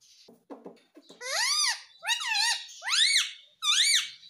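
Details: Talking parrot said to say "papa" and "mummy"; soft low murmurs, then four loud, evenly spaced harmonic speech-like phrases, each arching in pitch, recorded in a small indoor room.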